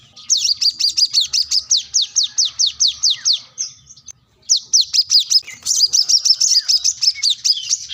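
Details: Lively plain-throated sunbird calling for a rival delivers long trains of sharp, high, falling notes at a steady fast pace, a brief break, then a denser, slightly buzzy run.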